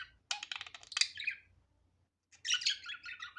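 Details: Budgerigar warbling: a fast run of dense buzzy chirps and ticks, then a pause of about a second before a second burst of scratchy chattering notes.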